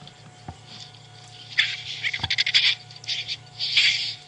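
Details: White-backed vulture call played back quietly on safari, its usual sound: harsh, nasty rasping hisses in broken bursts, with a hum and a couple of thumps in the background.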